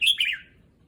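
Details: Caged red-whiskered bulbul adapting to a new cage at a new site, uttering a single loud, rich warbled phrase of two quick notes slurring downward.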